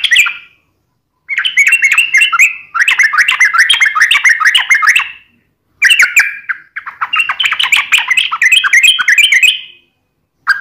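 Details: Yellow-vented bulbul (trucukan) in extended tarung ngalas ropel, a fighting-style wild rapid song: long bursts of rapid, jumbled, bubbling chatter separated by short pauses, with a brief note at the very end.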